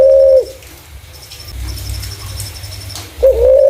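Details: Spotted dove calling as a lure for other doves: one coo fading out at the start, a pause with low rumble and a faint, high, pulsing tone, then another coo rising slightly.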